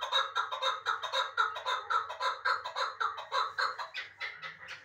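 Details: Chukar partridge of Uzbek origin, a captured young bird from last year, in Dushanbe: rhythmic rasping chuck notes roughly twice a second that grow thinner and higher toward the end of the series.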